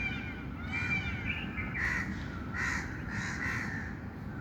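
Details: Birds calling outdoors: harsh, caw-like bursts near the middle range alternate with thin whistled lines, three or four calls spaced about half a second apart, over a steady low rumble of background noise.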